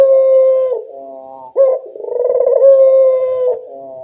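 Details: Lure call of a local puter dove meant to make wild birds answer: long level coos broken by a short upward flick, then another sustained purring phrase, with nothing else audible.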